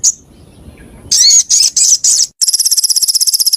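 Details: White-rumped shama in full competition song for birds to copy: four loud, buzzy, high bursts, then a rapid, even, very high trill of repeated notes.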